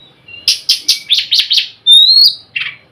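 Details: Oriental magpie-robin giving its harsh nyrecet chatter, calling other magpie-robins: six rasping scratchy notes in quick succession, then a thin rising whistle and one last rasp.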